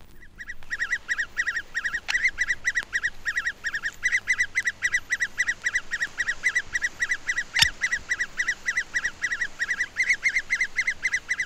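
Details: An adult great spotted woodpecker in a British woodland in June calls while trying to feed its clamorous young: a fast, unbroken chatter of shrill high notes, about four a second, with sharper louder clicks.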